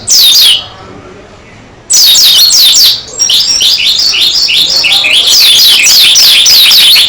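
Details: Energetic singing by a dakun Oriental white-eye: a short burst of high downslurred notes, a pause, then a sustained flow of rapid twittering and sweeping slurs to the end.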